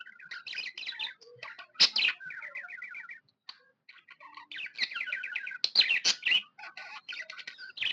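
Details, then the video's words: Happy pet budgie chirping indoors: trilled rattling runs of notes, harsh loud chips, a short quiet gap, then more rapid chattering warble. "Happy budgie chirping sound"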